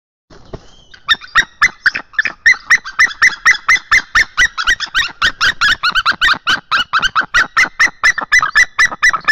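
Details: Male white-tailed eagle in Estonia chasing away a juvenile eagle, 10 March 2022 at 10:04 in the morning. A long, rapid series of sharp, harsh yelping notes, about three to four per second, keeps a steady pitch throughout, loud and close.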